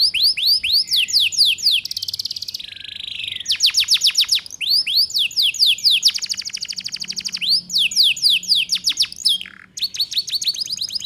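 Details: Canary song played to train young canaries: long runs of rapid, steeply falling notes broken by buzzy rattles and upswept whistles, energetic and nearly unbroken.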